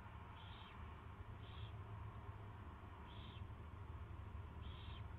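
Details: On 24 February 2016 at 2:15 PM, an owl at its first feeding gives four short rasping hisses spaced one to two seconds apart, with a low steady hum behind.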